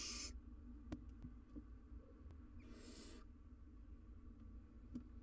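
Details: Wild barn owl owlet on a live nest cam, attempting to eat a giant jird. A short hiss is followed by a pause of about two seconds, then a longer breathy hiss. Scattered clicks sound over a low hum.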